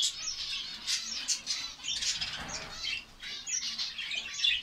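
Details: Finch colony in Saudi Arabia, many birds chirping together in a continuous high twittering. Quick squeaky notes overlap with no pause and vary slightly in loudness.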